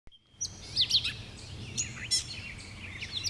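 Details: Gray Catbird on New Leaf Trail, Jackson County, Michigan, 30 May 2019, giving a quick, jumbled run of high, squeaky and scratchy notes, each different from the last, over a faint low background hum.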